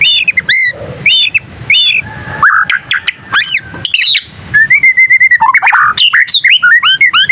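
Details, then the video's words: Young white-rumped shama learning to sing, its song prompting other shamas to answer: rich varied phrases of bright ringing chirps and harsh squawks, followed by a fast even series of short whistled notes and rapid trilled warbles. "Suara burung murai batu paling gacor bikin burung murai lain langsung nyaut"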